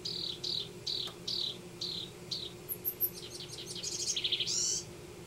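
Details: House wren song from a nesting pair in a Denver yard: a series of slurred downward notes, then high thin tinkling notes, ending in bubbly rapid trills, all over a faint low hum.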